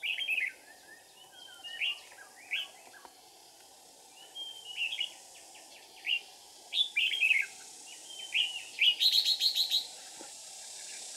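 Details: Red-whiskered bulbul decoy bird used for trapping, 13 May 2019, delivering the rapid 'ché' song style: short liquid whistled and warbling phrases in irregular bursts, closing with a quick high rattling series of notes over a low, steady background hum.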